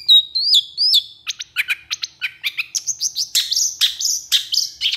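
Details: Long-tailed shrike singing energetically: opens with clear, looping whistles, then shifts to a fast, varied stream of chirps, trills and scratchy notes at about two per second, growing busier and shriller toward the end.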